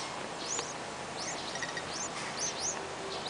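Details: Hungry yellow-vented bulbul (Pycnonotus goiavier) chicks beg for food with mouths wide open, giving thin, high, scratchy chirps in quick bursts of two or three over a steady background hiss.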